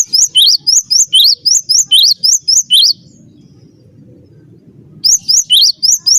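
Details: Master-song recording of a cinereous tit for prompting other birds to sing: a fast run of bright, high two-pitch chirps, roughly three per second, stopping for two seconds of low background hum, then resuming.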